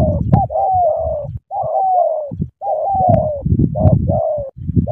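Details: Spotted dove from Cà Mau, Vietnam, cooing almost continuously in smooth, falling phrases, each a clipped opening note then a longer mellow coo, with brief gaps and steady low thumping underneath.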